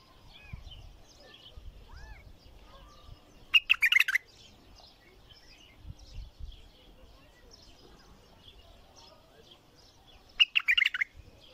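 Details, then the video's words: Bulbul singing in two brief bursts of fast, chirpy notes several seconds apart, with faint outdoor background noise and low rumbles between phrases. "تغريد بلبل حنجره ثكيله"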